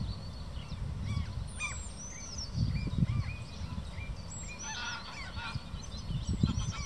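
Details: Two common shelducks give scattered thin whistles and short honking notes over a steady low rumble of wind or distant noise.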